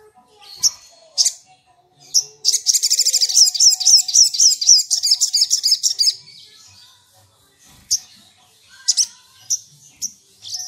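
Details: Sunbird; song; lure to provoke rival birds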